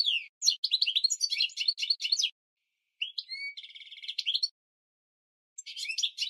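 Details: A goldfinch mule, recorded as a training song for canaries and goldfinches, sings bright, rapid twittering phrases with tinkling and buzzy notes, broken by short pauses.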